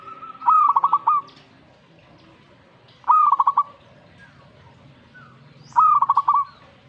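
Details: Zebra dove singing straight away in reaction to a master recording of its kind: three phrases, each a clear opening note followed by a quick stuttering run of soft, mellow cooing notes, spaced about two and a half seconds apart, faint background murmur.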